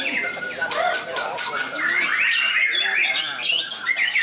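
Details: White-rumped shama, trained and tested at a contest ground, delivering a rich repertoire: clear rising and falling whistled sweeps, quick trills and high chirps, sung without pause over background chatter of other birds.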